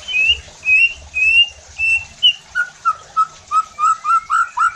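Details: White-rumped shama song played to provoke other shamas into singing: five clear level whistles, then a faster repeated series of lower rising notes, about two per second.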